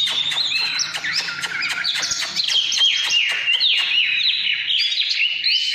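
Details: Dense 'căn lửa' singing from an Oriental magpie-robin: rapid repeated clicks and buzzy chatter mixed with falling whistled slurs, about three notes a second, over a low hum.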